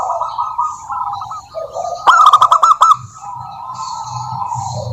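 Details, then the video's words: Female local zebra dove calling a rival: steady low-volume cooing and trills, broken by a loud burst of about seven sharp, quickly repeated coo notes, over a faint hum. "Suara Burung Perkutut Lokal betina gacor memanggil lawan"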